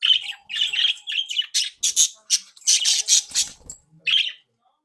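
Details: Lively captive budgerigar flock, mischievous and playful, giving loud, nearly continuous warbled chirps and rasping squawks in rapid succession before falling quiet.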